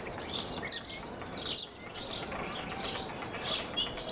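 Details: Several birds chirp in the morning, giving short sharp tweets and a few louder accented notes over constant hiss.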